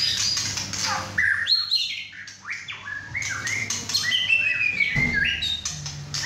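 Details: Six-and-a-half-month-old male White-rumped shama singing hard in a cage at home beside two other birds; fast, irregular run of whistles and harsh notes, nearly three per second, over low background hum.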